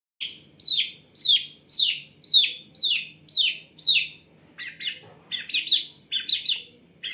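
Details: Long-tailed shrike song with varied filling: a series of seven loud descending slurred notes about half a second apart, then quieter, lower chattering phrases, with a faint low background murmur.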